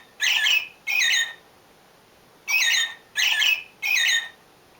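American Robin singing short, rich, warbled phrases, two then a pause then three in quick succession, like a cheery 'cheerio, cheerio'. Nothing else is heard.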